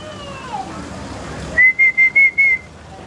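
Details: Talking bird at a restaurant in Songkhla, southern Thailand, May 2011, imitating the Thai greeting "sawatdee khrap"; a clear whistled phrase of four or five evenly spaced pulsed syllables on a level pitch, after quiet background chatter.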